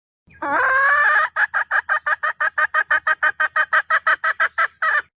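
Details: Hen of the red junglefowl calling its rooster: one sustained, wavering harsh note followed by some twenty rapid clucks at a steady pace.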